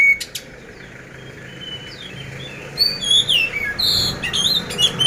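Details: Oriental magpie-robin of the poci type, caged in Magelang, Central Java, Indonesia: a few faint whistles, then a late run of high, sliding whistled notes and chirps over steady background hiss.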